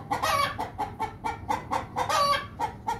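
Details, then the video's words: Rooster giving a rapid series of harsh, buzzy clucks, about four per second, with a few longer, louder notes mixed into the run. "Rooster sound"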